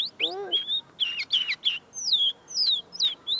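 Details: A tame linnet sings just in front of the listener, its song still being worked out: bright swooping chirps and short twittered clusters with brief pauses, and a person's voice at the start.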